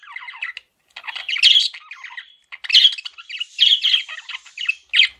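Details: Male budgerigar, a pet parakeet, chirping in a chattering warble of rapid, buzzy notes and squawky bursts with short pauses, some notes rising and falling.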